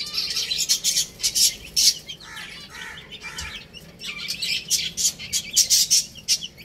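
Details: Little chicks at play and feeding: many high, thin chirps that crowd together in loud clusters, broken by a brief stretch of softer, lower rasping sounds midway, then dense peeping again.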